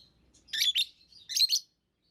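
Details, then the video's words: Lovebirds kept as pets make two quick pairs of shrill, raspy chirps less than a second apart, then fall silent. "Love birds Sounds | lovebirds chirping sounds"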